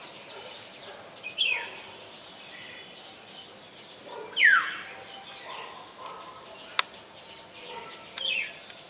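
A Black-hooded Oriole gives three sharp, downslurred calls a few seconds apart over a steady hiss of background noise, with one brief click.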